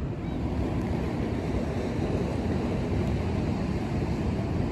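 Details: Steady roar of wind and surf by a tide pool, recorded on a smartphone, with no clear animal calls.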